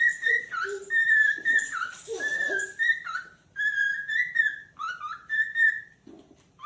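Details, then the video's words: Calling cockatiel giving long, steady whistles broken by slurred dips and a few lower, softer notes, delivered almost continuously with brief gaps, indoors with no other clear sounds. "calopsita cantos ✅som de calopsita chamando"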